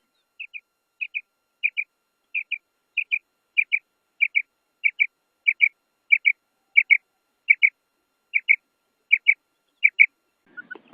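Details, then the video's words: Calls of a female quail, a long even series of clean doubled notes, about sixteen pairs spaced steadily around two-thirds of a second apart, against near silence, ending with a brief rustle. "FEMALE BATAIR SOUND / مادہ بٹیر کی آواز"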